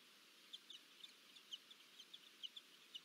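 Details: Peregrine falcon pair meeting on Anacapa, USA, 26 July 2024, recorded by a nest camera: short, sharp, high notes repeated about every third of a second, irregular and faint over steady background hiss.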